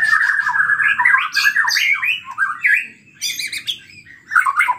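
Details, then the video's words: Energetic, agitated white-rumped shama song, used as a lure to provoke other shamas into singing. Loud run of harsh, scratchy notes mixed with sliding whistled phrases, broken by short pauses and bright chattering bursts near the end. "PANCINGAN MURAI BATU GACOR EMOSI SEKALI DENGAR BONGKAR ISIAN"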